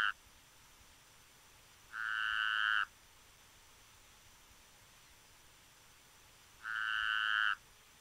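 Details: Pearly-vented Tody-Tyrant (Mosqueta ojo dorado), one of Argentina's common birds, sings a rapid, buzzy trill about a second long at a steady mid-high pitch, repeated roughly every five seconds against a quiet background.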